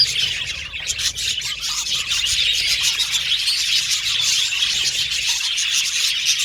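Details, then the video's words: Budgerigars chirping in a dense chorus of shrill twitters and clicking squeaks, unbroken and fairly even, with a brief dip near the start. "Happy Budgies Chirping Sound | Budgies Sound For Lonely Budgies Birds"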